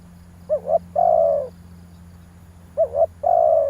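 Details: Spotted dove cooing as a decoy lure: two low mellow phrases, each two quick short hoots leading into a long falling coo about half a second long.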